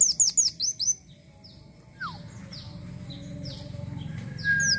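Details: Van Hasselt's sunbird in lively, varied song: a quick burst of thin, high, down-slurred whistled notes for about a second, then quieter scattered high chips and one lower slurred note over a faint background hum.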